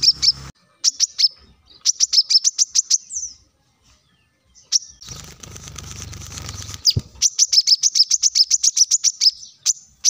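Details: Plain-throated sunbird singing energetically. The recording serves as a lure to spur leafbirds into song. Runs of quick, piercing high chirps are broken by short silences, with a hissing noisy patch midway.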